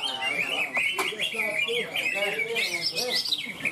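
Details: Contest bird, a greater green leafbird, at the Ronggolawe singing competition in Malinau, North Kalimantan, pours out fast, high, looping warbled phrases without pause, backed by human chatter and competing birds from the crowd.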